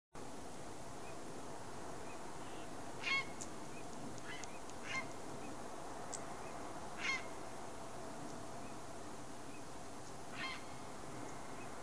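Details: Grey heron (Ardea cinerea), a winter visitor in Palestine, gives four harsh, croaking squawks at uneven intervals several seconds apart over a steady low rumble of wind or distant noise.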